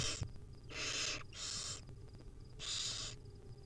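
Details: Barn owl nestlings in the wild, hungry and being fed tiny bits by their mother, give three harsh hissing screeches of about half a second each, one after another, with low hum behind.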